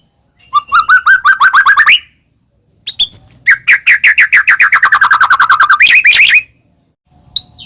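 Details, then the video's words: White-rumped shama in energetic song, used to provoke caged birds to respond: a fast even trill of repeated notes, a short silence, then a longer rapid run of slurred notes ending in a higher rising burst. "murai batu gacor AMPUH buat PANCINGAN murai batu agar bunyi"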